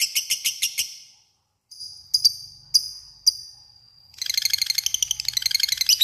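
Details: Lovebird ngekek used as a rival-calling lure: six spaced sharp chirps, a few echoing tinny clicks, then a fast, dense, buzzy high chatter for the last two seconds over a faint low hum.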